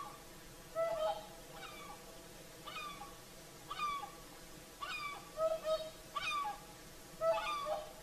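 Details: Whooper swans in evening song at sunset, Lake Saimaa, Finland; a flock trades bugling, trumpet-like honks roughly every second, some doubled, with calls overlapping from several birds.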